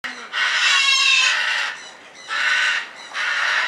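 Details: Red-fronted parakeet (Cyanoramphus novaezelandiae) at Avifauna bird park, Alphen aan den Rijn, Netherlands, giving harsh, raspy squawks in three loud bursts, each about half a second to a second long, with brief quieter gaps between them.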